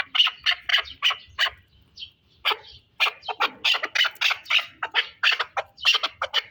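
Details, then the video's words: Pamir chukar partridge uttering harsh, clucking notes in quick succession, breaking off briefly near the middle and then continuing in a steady run. "Кабки Помир"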